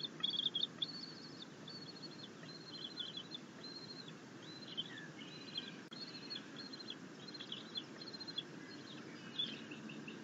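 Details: Bald eagle eaglet, fed a fish by its mother after attempting to self-feed on a rabbit, 9 June 2021. A steady stream of thin, high, clipped chittering notes runs through the clip over a hiss of background noise.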